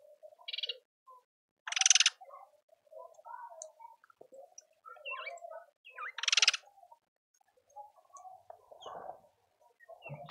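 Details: Speckled mousebirds visiting a garden birdfeeder in Pretoria, South Africa, give short grating buzzy calls in spaced bursts, two louder rasping bouts a few seconds apart, over quiet low cooing and chirps in the background.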